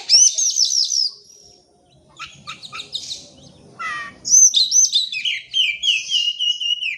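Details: Lure song of an oriental magpie-robin meant to set silent birds singing: high rippling trills open, then a pause, short clicking notes, a falling sweep, and a long run of bright descending whistled phrases.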